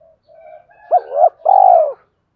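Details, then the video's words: Spotted dove cooing in a sequence meant to provoke wild doves: soft low murmurs lead into a short hooked coo and a long, steady, hollow coo. "Tiếng Cu Gáy Giọng Hạp BổI [ GÁY GỌI,THÚC,GÙ ] Kích Bổi Nhanh Nổi"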